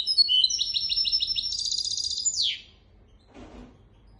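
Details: Goldfinch x canary hybrid song for teaching goldfinches and canaries: quick repeated chirping notes building into a dense high trill that ends in a falling buzzy sweep, then a soft rustle.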